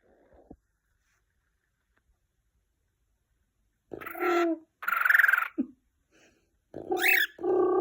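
A cockatiel mimics phone sounds, ringtones and dialing tones, in short harmonic bursts with wavering pitch.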